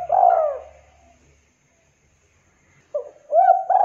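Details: Local spotted dove in vigorous song. A loud, low, rounded coo is followed by a pause. Then come a short note and a rising-falling coo phrase, all clean and close with no other sounds.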